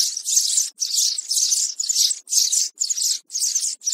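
Young sparrows chatter in harsh, high, buzzy bursts, roughly two per second with short gaps, in a steady scratchy stream.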